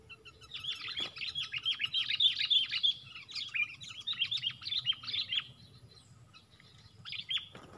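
Several sooty-headed bulbuls trade quick, bright chirping notes that overlap in a busy burst for about five seconds, then trail off to a single short phrase.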